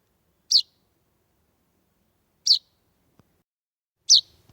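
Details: A lone young chaffinch (Fringilla coelebs) fledgling at a front door around 8:30 pm on a warm summer evening, 16 July 2020, gives three short, high chirps, spaced about two seconds apart, with quiet between; no parent came.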